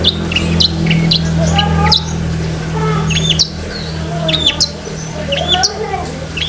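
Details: Long-tailed shrike giving busy, varied song with filler phrases, used to train pet shrikes; irregular high chips and whistled slurs over a loud low droning hum.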